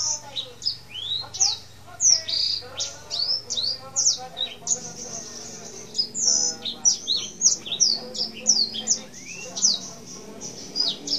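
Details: Male black-throated canary, tame and in full voice, singing a long rolling song: rapid high whistled notes, many sharply rising or falling slurs, repeated in quick bursts over a softer low warbling undertone.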